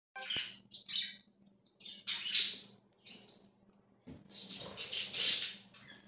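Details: Free-roaming budgerigar flock recorded October 13, 2024: bursts of high, scratchy warbling chatter, some louder and buzzier, separated by short pauses, over a low steady hum.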